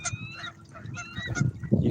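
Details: Geese at a fishing spot on a cold day, with a bald eagle calling from a stump nearby, give several short, nasal honks at irregular intervals, some overlapping, over a steady low rumble of wind or water.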